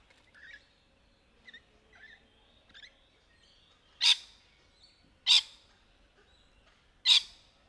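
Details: Rainbow lorikeets in courtship: soft, thin chirps, then three piercing, harsh screeches spaced just over a second apart, loud and rasping against a quiet background.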